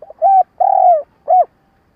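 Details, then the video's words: Lure spotted dove used for trapping, giving a stuttering coo to draw wild doves: a short low coo, a long slurred coo that falls at the end, then a brief clipped coo, all mellow and hollow-toned. "Tiếng cu gáy mồi cà lăm gù - gáy - thúc kích bổi nhanh nổi"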